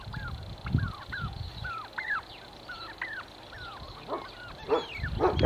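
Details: Territorial turkey fight: a string of evenly spaced, bent yelping notes, roughly two per second, over low rumbling, ending with louder rasping bursts of scuffle noise.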